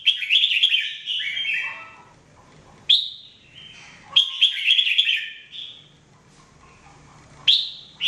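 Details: Red-whiskered bulbul (jambul) singing in the mebah style, offered as training song: bright whistled, warbling phrases about a second long, separated by short pauses, each starting with a sharp rising note, over a faint low hum.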